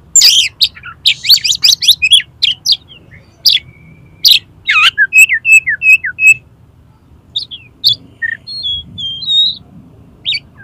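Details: Kacer, or Oriental magpie-robin, delivering a varied song used to tutor and provoke contest birds; rapid harsh chattering bursts, then runs of bright slurred whistles and scattered high chips across ten seconds, over a soft low hum.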